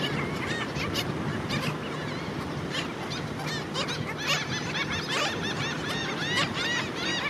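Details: Black skimmer beach colony with chicks at St. Pete Beach, St. Petersburg, Florida, where terns, crows and gulls also threaten the young; many overlapping short barking and upswept calls over a steady roar of surf and wind.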